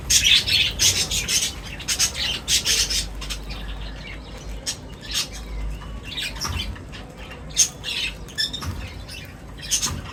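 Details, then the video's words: A lively burst of high chirps and squawks from birds at feeding time opens, then thins to scattered sharp calls with quiet gaps and soft rustling. "Birds Feeding Time Sounds | Birds Chirping sounds"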